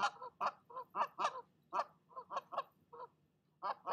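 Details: Female goose continues scolding after an unwelcome goose visit to her nest: irregular loud nasal honks, several in fast pairs, ending after a quiet gap with two more.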